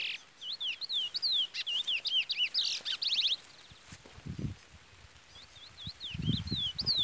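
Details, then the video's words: Chestnut-bellied seed finch (curió), brown plumage, singing the Trola style, known locally as Trolinha: looping whistled notes, a brief buzzy trill, a pause with low thumps, then the whistled phrase resumes; a chick peeps throughout. "Curió Pardo cantoria Trola / Curió Pardo Trolinha"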